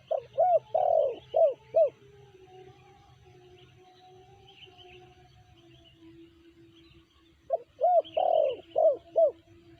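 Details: Tekukur, spotted dove of the BL type, in two bursts of rapid repeated coos, about five notes each, at the start and after about seven seconds, separated by a quiet gap with low hum.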